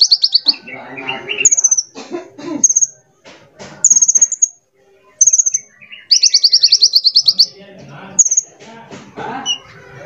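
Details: Small glossy sunbird used as a singing lure delivers a lively mix of high thin rattles, a long run of rapid sharp notes, and lower twittering and clicks between phrases.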